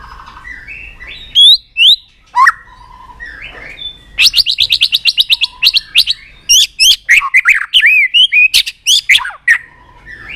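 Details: Fired-up White-rumped shama mixing whistled phrases with long runs of hard, rapid clicking 'tạch' notes and looping, hooked whistles in quick succession.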